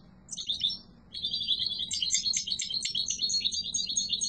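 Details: Yellow mutation European goldfinch singing strongly: a high, rapid twittering stream of buzzy trills and chirps, a brief opening phrase, a short pause, then continuous jangling song; faint low hum beneath.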